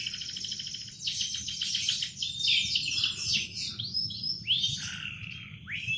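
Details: A canary sings in the morning: rapid buzzy trills building into a dense warble, then clear upward-swept whistled notes repeated near the end, all high-pitched above a soft low rumble.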